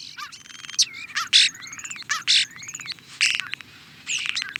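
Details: European starling singing: harsh grating bursts alternate with long rising slurred whistles and rapid clicking rattles, a scratchy, wheezy medley with quiet rumbling background noise.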